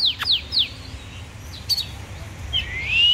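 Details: Oriental magpie-robin, described as a warrior bird, gives three quick falling whistled notes, brief sharp clicks, then a drawn-out rising whistle that swells toward the end.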